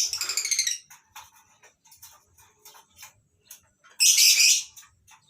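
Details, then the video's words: Several lovebird species in a mini aviary at a breeding farm in the morning; a rapid stuttering series of harsh notes opens, faint chirps follow, then a loud raspy screech near the end. "Suasana Pagi Di Peternakan Burung Lovebirds Di Kandang aviary mini"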